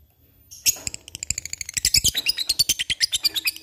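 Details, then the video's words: Lovebird with the cik cik cerrr ngekek chatter: after a quiet start come mixed squeaks, then a regular rapid series of sharp, high tick-like notes. "LOVEBIRD cik cik cerrr,suara brung labet ngetik ngekek gacor"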